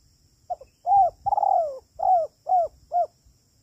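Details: Spotted dove, "kuk 3" call meant as a trapping lure. A single phrase: two faint pips, a rounded coo, a long slowly descending coo, then three shorter evenly spaced coos.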